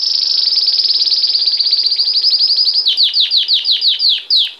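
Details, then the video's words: Singing Belgian canary in its bell-type song: a fast high trill slowly sliding lower and becoming more spaced, then turning into evenly paced, sharply falling whistled notes, about three per second. "Canário belga cantando muito campainha"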